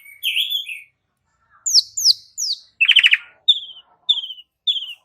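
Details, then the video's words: Asian pied starling song used as a lure to get other starlings singing: a warbled whistle, three sharp descending slurred notes, a rapid grating burst, then three short clear downslurred whistles evenly spaced. "Cukup 1 Menit Pancingan Jalak Uren Jadi Gacor 💥Masteran Jalak Uren Suren"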